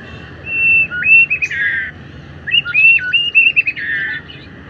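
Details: Afternoon song of a white-rumped shama: two matching phrases of clear whistled notes with quick up-and-down jumps, each ending in a harsher buzzy flourish, about two seconds apart.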